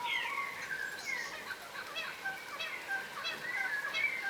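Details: A flock of yellow rosellas, a crimson rosella subspecies, feeding on the ground. Dense, repeated chattering notes and whistles come fast and overlap across the whole stretch.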